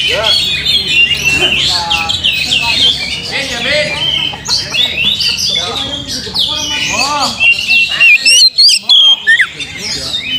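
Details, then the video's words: Lively Oriental magpie-robin singing meant to provoke a reply: a tangle of quick whistles, chattering trills and harsh squeaky notes, with short pauses and crisp high upsweeps near the end. "PANCING KACER"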